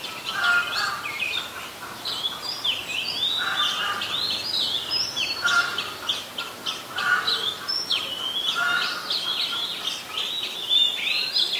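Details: Lengthy song of an Oriental magpie-robin in Ubon Ratchathani, Thailand, 26 December 2020; varied whistled phrases with sliding high notes and repeated lower fluty tones recurring every second or two.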